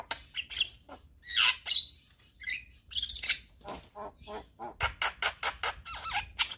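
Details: Javan myna singing energetically with head-bobbing and full filler phrases: loud squawking bursts and brief whistles at first, then a quick run of dry clicking, rasping notes.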